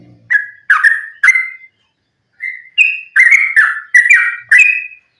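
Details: Yellow-vented bulbul giving its fighting, continuous rapid song, a lure to provoke bulbuls into singing: loud bubbling whistled notes, several in quick runs after a short pause, some rising at phrase ends.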